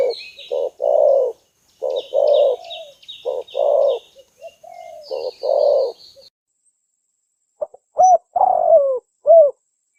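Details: Spotted dove calls used to lure doves for trapping: a run of low, hollow coo phrases over six seconds with thin, high chirps from another bird above, then a pause and a last rising-and-falling coo phrase.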